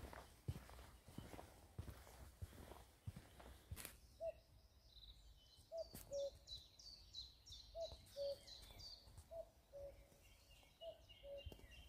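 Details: A common cuckoo in Shropshire in spring, May 2024, repeats its low, falling two-note "cuck-oo" about every two seconds, over high twittering from other songbirds and early footsteps.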